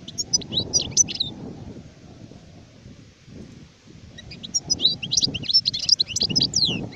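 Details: Adult European goldfinch twittering in two high, jumbled phrases, partly masked by steady low rumbling background noise.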